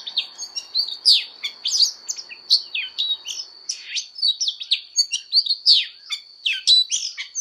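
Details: Oriental magpie-robin fighting song, sung as voice training. Quick, varied whistled and scratchy notes repeat in a lively, near-continuous sequence, with steep up-and-down slurs. A faint low rumble is heard in the first half.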